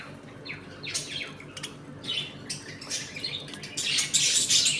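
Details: Budgies in a home colony give rising chirps and warbles, building to a dense, noisy chatter toward the end, with a faint indoor hum.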